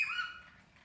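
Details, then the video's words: A pet male Indian Ringneck parakeet, in a mood to play peekaboo, gives one brief, harsh, scratchy squawk that fades quickly into quiet room noise. "Indian Ringneck Peekaboo's and Makes Silly Noises"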